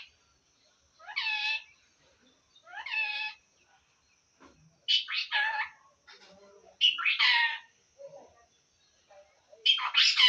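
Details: Assamese pet talking parrot producing a series of five strident, nasal, harmonic calls spaced about one to two seconds apart, each falling in pitch, some preceded by quieter murmuring.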